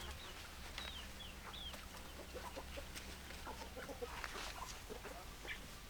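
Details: Hens clucking in short, irregular bursts, with thin whistled chirps from other birds in the first two seconds and a low constant hum throughout.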